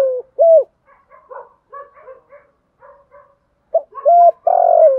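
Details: Decoy spotted dove calling to attract wild doves in the 'thúc gù' style. Two short coos open, then a run of soft stuttering notes, then loud rising and sustained coos close.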